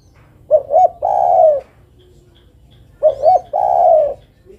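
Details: Female zebra dove calling the male: a soft cooing phrase of two quick rolling notes and then a longer, steady trilled coo, given twice about 2.5 seconds apart, loud and clear against a quiet background.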